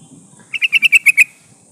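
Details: Sooty-headed bulbul female calling to attract a male, played as a decoy for trapping wild birds: one rapid run of seven sharp, evenly spaced chattering notes.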